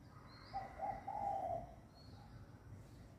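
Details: Dove cooing to welcome the new day of the year, several birds calling close together: one mellow, mid-pitched phrase of soft joined coos lasting about a second, over a quiet outdoor background.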